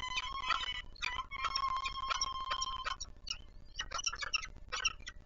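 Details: Peregrine falcon in Warsaw, Poland, at feeding time, 10:05 on 26 April 2020. Loud, harsh, strongly harmonic wailing cries run almost continuously for about three seconds, then break into shorter rasping calls.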